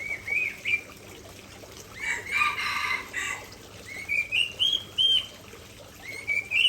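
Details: Aceh white-rumped shama delivering its isian repertoire: clear whistled notes near two kilohertz, some rising and upslurred, given in short bursts with gaps, interrupted by a loud broadband rustling noise midway.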